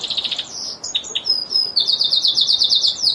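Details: Brief burst of Lizard canary song: a few scattered chips and slurred whistles, then a bright, fast, rolling trill of high repeated notes.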